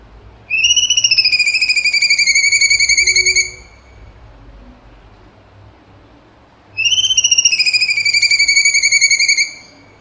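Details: Cucak cungkok in lively 'tembakan' song: two long, steady, high whistled phrases, each finely pulsed like a rapid trill and sliding slightly downward, roughly three seconds long, separated by a quiet pause with faint low background hum.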